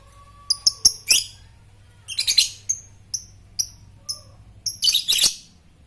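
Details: Lovebird of the fighter type ngetik to stimulate ngekek: bright, clipped high chips repeated in irregular runs, some grouped into brief harsh chattering bursts, over a low background hum.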